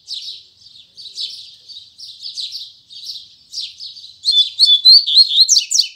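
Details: Double-collared seedeater, Braddock line, singing tui tui zel zel firmly in the morning: repeated buzzy notes, then a loud rapid sequence of clear whistles and sharp downslurred chips.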